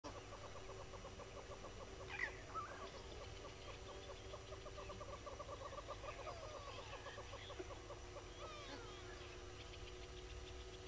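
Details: Yellow-billed hornbill at Gowrie dam waterhole, Djuma Game Reserve, Sabi Sand Wildtuin, South Africa, recorded 08:18 on 27 April 2022; rapid series of hollow clucking notes running through the first six seconds, with faint chirps of other birds above.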